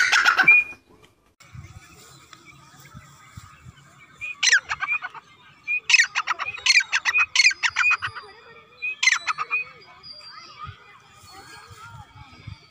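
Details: A whistle-tamed grey francolin gives loud, harsh, ringing phrases in quick bursts, several series over a few seconds, with faint chirps in the background.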